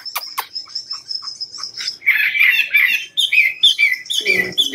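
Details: Chinese hwamei from Cao Bằng kept as a cage bird: a thin sustained high whistle with chips, then a loud burst of buzzy warbling and a string of descending whistled phrases.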